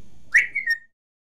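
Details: A pet talking grey parrot gives one clear whistle that swoops up sharply, then glides down and fades within half a second over a quiet background.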